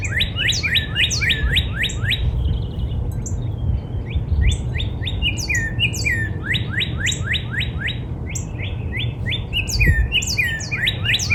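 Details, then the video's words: Long spring sequence from a backyard Northern cardinal: repeated bursts of rapid rising whistles, each run several notes long, separated by short pauses, with constant high chirps of other birds in the background. "Real Natural Spring Cardinal Bird Sound"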